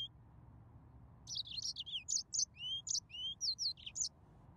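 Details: A yellow-fronted canary sings after a quiet start, giving a lively string of high chirps, downslurred and upslurred whistles, about three seconds long, with a low background hum.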